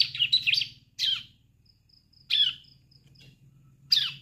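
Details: Fledgling ciblek, or Sunda streaked-tit, starting to sing: short bursts of high, slurred descending chirps separated by pauses of about a second, over a steady low hum.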